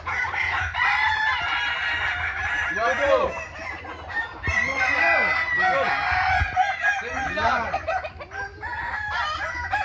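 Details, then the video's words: Kukuak Balenggek chickens at a joint training session for crowing contests in Ampang Kualo, Kota Solok, in May 2024. Several roosters give overlapping, layered crows with stepped notes, heard against a constant busy background of voices and noise. "Latberan Ayam kukuak balenggek"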